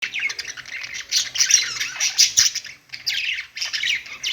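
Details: Pet budgerigars singing on a perch: a dense, fast stream of chirps, squeaks and scratchy warbles, with a short pause near three seconds before the chatter resumes.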